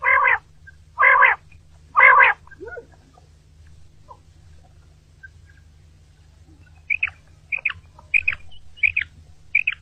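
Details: Morning quail calls recorded for hunting: three broad, rasping bursts at the start, a quiet gap, then a run of short, sharp, high notes in quick pairs and triplets.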